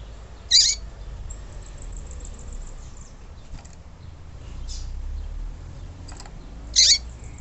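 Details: A female Yellow-bellied Seedeater gives two brief, high, sharp chip notes about six seconds apart over a low background hiss. The recording is meant to excite male seedeaters into singing and to prepare them.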